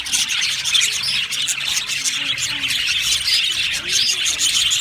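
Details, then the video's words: A happy flock of budgerigars in an aviary, a dense continuous wash of high chirps, warbles and squeaky tweets overlapping without pause, with a faint low hum underneath. "Happy Budgies chirping sounds | Budgies sounds"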